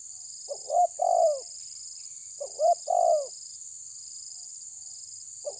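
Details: Terkukur tabir, a spotted dove, challenging a rival with two full cooing phrases, each a short hoot then a longer falling one, separated by about two seconds, a third phrase beginning at the end.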